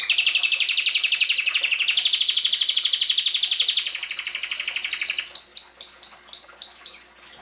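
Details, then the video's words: Canary singing: a long fast rolling trill held for about five seconds, then a run of separate bright upward-swept notes, high and clear. "Canary singing"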